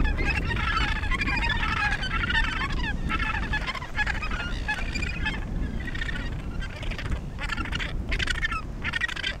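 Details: Breeding colony of Australasian gannets near Portland, Victoria, Australia. Harsh, honking calls come in clustered bursts over a steady roar of wind.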